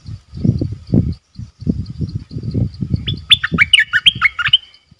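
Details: Cage bulbul used as a decoy for luring, recorded 18 December 2021. Low knocking and rustling lead into a lively phrase of clear, bubbling whistles, about eight quick notes dipping and rising, with faint high ticking behind.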